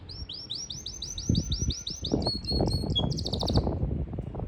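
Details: Yorkshire canary in Parachinar sings a series of evenly spaced high rising notes, then shifts to short buzzy clipped phrases and a fast trill, with background clatter and rumble.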